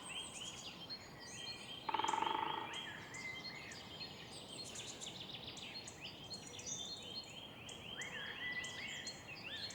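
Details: Woodpecker in a city park in the morning: one short, rapid drumming roll lasting under a second. Many other birds whistle and chirp throughout, over a steady background hum.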